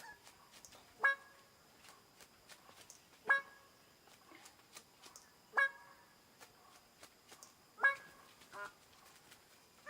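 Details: Greater bird-of-paradise calling with loud, harsh, clipped honks repeated roughly every two seconds, four main calls with a quieter one after the last, over a faint background of clicks and rustling.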